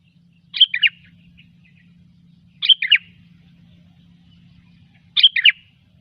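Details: Sooty-headed bulbul in gecor style, as used for luring: three matching bubbly two-part phrases, each about half a second long, repeated roughly every two and a half seconds over a steady faint hum.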